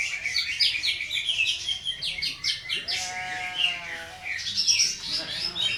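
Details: Contest-training song of a green leafbird with rough 'shot' combination phrases: rapid, high, scratchy slurred notes, a run of descending whistled strokes in the middle, and busy twittering throughout.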